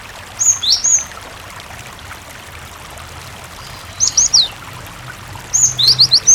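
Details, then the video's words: Cinereous tit (gelatik batu) recording meant to lure other tits into answering and singing, with water sound added: three short clusters of high, sharp, downslurred notes, two to five per cluster, separated by pauses, over a constant water hiss. "suara Burung Gelatik Batu gacor"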